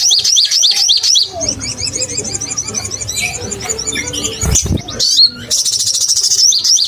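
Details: Crimson sunbird in vigorous open-beaked song, used as a lure to provoke other sunbirds: fast high trilled phrases of repeated thin notes, a brief break, then a dense shrill trill resumes; low hum underneath.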